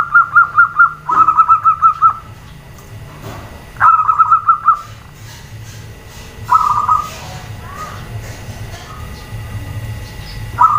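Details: Female zebra dove calling to provoke males and group-kept birds to answer: rapid bursts of staccato mid-pitched notes, each burst about a second long, separated by pauses, over a low steady hum.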